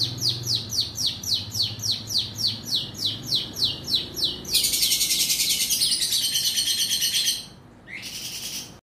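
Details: Long-tailed shrike provoked into singing: a quick run of repeated sharp, downslurred high notes, about three per second, then a dense harsh buzzy rattle, a short pause and another raspy burst.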